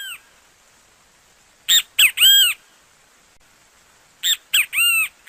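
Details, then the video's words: Great kiskadee, a bird of Brazil, delivering two loud phrases about two and a half seconds apart, each made of two short sharp notes and a longer, bowed, resonant final note, with near-silent gaps between. "efeito sonoro de bentivi - sound effect of bentivi"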